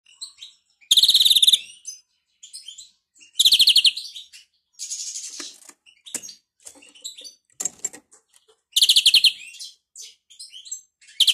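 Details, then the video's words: European greenfinch giving a song described as faulty, a bad sound: loud, fast buzzy trills of rapidly repeated notes in short bursts, broken up by softer scattered chirps and twitters, about five main trills. "Flurya Kuşu ötümü 978 - Hatalı Kuş (Bad sound)"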